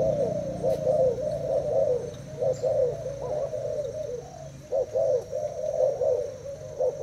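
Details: Caged Thai-type spotted dove, caged for two days, in a cooing duel with a decoy bird: repeated deep, rounded coo phrases, a short lull midway, then renewed vigorous cooing.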